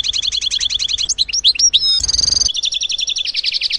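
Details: A European goldfinch, a regular garden feeder visitor, twitters in quick, high, tinkling notes, several each second, broken by liquid rising notes and a brief buzzy rasp.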